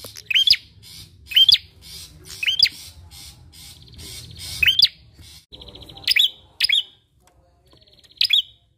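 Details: Bar-winged prinia singing actively, used as a lure to prompt other birds to sing: sharp rising chirped notes with buzzy overtones, repeated about once a second in a steady series, with a faint low hum underneath.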